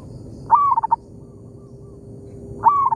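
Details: Local zebra dove in an oil palm plantation responding to a decoy bird: two loud whistled phrases two seconds apart, each a rising note followed by a quick broken stutter, faint coos between.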